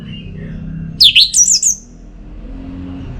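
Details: Orange-headed thrush song used to stimulate a kept bird to sing, recorded in North Bali, Singaraja: a brief burst of high, sharply modulated whistled notes lasting under a second over low background hum.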